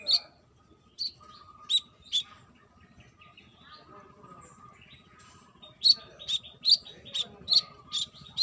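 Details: A female brown-throated sunbird calls the male with scattered sharp chirps that break off into a pause, then a fast burst of repeated high chips.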